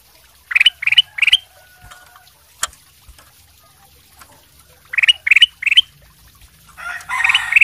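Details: Sooty-headed bulbul of the golden silk variety singing actively as a lure to provoke other birds to reply; two short phrases of three quick, clear chirped notes each, separated by a pause, with a rustling noise near the end.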